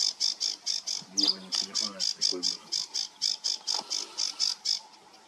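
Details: Sedge warbler singing on 28 June 2022: a fast run of dry, scratchy chattering notes repeated about four times a second, with a low murmuring voice briefly heard underneath in the middle.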